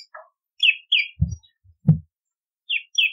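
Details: Bar-winged prinia chirping, used as a lure and training recording: a few short sharp chirps, some with a downward slide, scattered over three seconds, with two dull low thumps in between.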